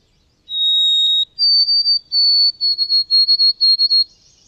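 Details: A White-throated Sparrow sings a clear, pure whistle, steps up to a higher held note, then repeats quick three-note phrases on one pitch, heard as "Canada, Canada, Canada".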